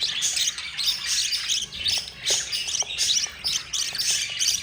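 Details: Yellow mother budgerigar feeding her four chicks, whose begging comes as loud grating, hissy squeals in rhythmic surges about every half second, with a few faint clicks beneath.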